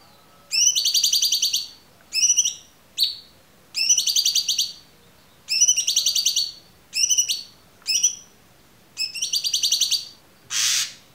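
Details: Cucak cungkok used as a song tutor for murai batu, cendet, kacer and konin. Repeated rich, rattling harmonic phrases of roughly a second each, separated by short gaps, and a single harsh noisy burst near the end.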